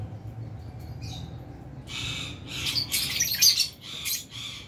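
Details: Aviary colony of lovebirds, albino and Fisher's, while eating food: a dense burst of shrill overlapping chirps and squeaky screeches from several birds, rising in intensity after a quieter start, over low background hum.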